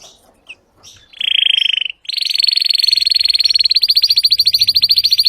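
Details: Belgian canary singing: a short bright trill, then a long fast rolling trill that runs steadily and speeds into a rapid even pulse of high notes.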